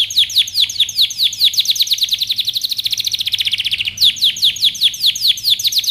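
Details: Canary song for training with quick repeated descending chirps, about two or three per second, speeding into a dense, fine rolling trill, then back to spaced sweeping notes.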